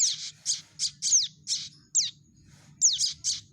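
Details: Young prinia calling, used to lure birds into traps: a run of harsh high chirps, several sweeping sharply downward, in quick succession with a short gap midway; low hum underneath.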